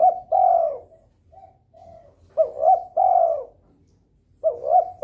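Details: Spotted dove in breeding condition, calling to trigger rivals: repeated loud phrases, each two quick rising notes and a long falling coo, about every two seconds, with soft coos in the gaps.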